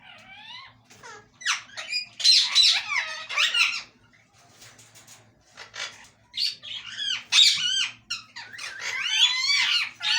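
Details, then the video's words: Parrot chattering in quick, high, squeaky word-like syllables, crowded into two dense bursts broken by a quieter stretch; indoor room, no other voices. "talking parrot/ mitthu urdu / hondi bolne wala tota"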